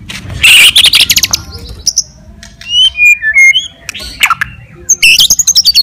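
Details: White-rumped shama singing a provoking fighter song: harsh buzzy notes, then clear whistled slurs falling and rising, a short squeal and a closing burst of quick sharp chips, with varied phrasing throughout.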